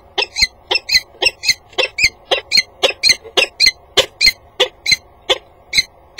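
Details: A female peregrine falcon in a water-tower nest box at 07:51 on 18 November 2015 eats pebbles, looks out, returns to the grate and calls a few times: harsh, grating notes, about two per second, uneven, over a low electrical hum.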